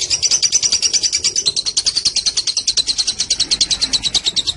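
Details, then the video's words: Lovebird in long ngekek chatter: a continuous run of sharp, high chirps repeated about three times a second, steady and insistent, shifting slightly lower in pitch midway, with no other clear sounds. "Burung Lovebird manapun akan nyaut dan ngekek panjang setelah dengar ini"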